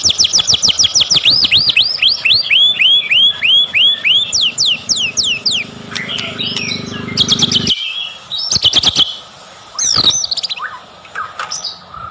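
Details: Lure song of a white-rumped shama for making birds sing: rapid looping whistled notes repeated over several seconds, then jumbled phrases, a cut, and scattered clicks and short calls.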